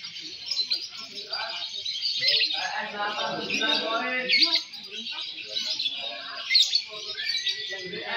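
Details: Fighter lovebirds singing at a Balibu competition, M1 and M2 sessions, produce an intense, buzzy high-pitched twitter with occasional sharp peaks, mixed with the voices of spectators.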